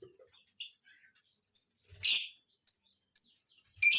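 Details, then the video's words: Lovebird giving sharp, high-pitched chirps and short shrill squeaks in irregular bursts, with one louder harsh screech near the middle and quiet pauses between calls. "Indahnya burung lovebird"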